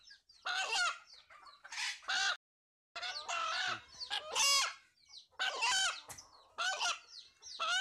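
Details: Rooster whose call is said to sound like the word Allah: loud, harsh, harmonic bursts of about half a second, repeated irregularly with short gaps, mostly bright and high-pitched, with a brief silence midway.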